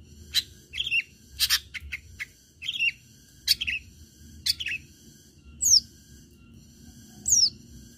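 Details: Long-tailed shrike song used as a lure to make other shrikes sing: sharp broadband rasping bursts alternating with short high whistled notes and two rising slurred whistles, delivered in irregular phrases over a low steady background hum.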